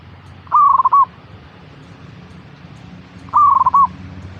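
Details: Zebra dove song, a lure for getting a kept bird to sing: two identical purring coos about 2.8 seconds apart, each a level tone dissolving into quick beats then a final note.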